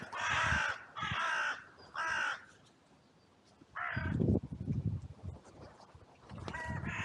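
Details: Crows at a cemetery on a bright day, caught on a trail camera during an outcry after two crows fought: three harsh caws about a second apart, a pause, then more hoarse caws with low thumps and rustling.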